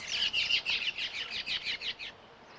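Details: Abert's towhee pair, year-round desert residents, giving a squeal duet as the two join each other: a fast, jumbled run of about a dozen high, squealing chips over two seconds, fading at the end.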